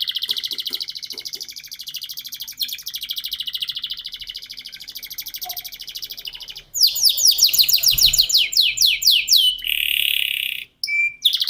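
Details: Caged canary singing in a lively, long-shot ngerek style, used to coax young canaries to learn and sing. A dense buzzy high trill runs for about six seconds, then rapid falling whistled sweeps repeat in fast bursts with brief pauses.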